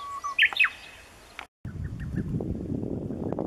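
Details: A Japanese bush warbler gives a brief held whistle, then a quick, bright, slurred flourish, filmed at Lake Tanuki on 5 June 2016. A short break follows, then rustling with faint distant chirps; a lesser cuckoo was reportedly also calling.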